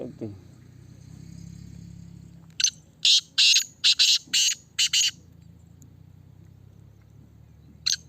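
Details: Caged Black francolin on test, delivering a rapid burst of seven harsh, buzzy notes, some paired, after a low hum and a soft rustle, then one final note.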